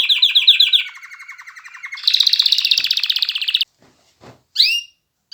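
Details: Canary singing rapid rolling trills, a fast pulsed phrase followed by a louder buzzy stretch, then silence with faint clicks and one final quick upswept note.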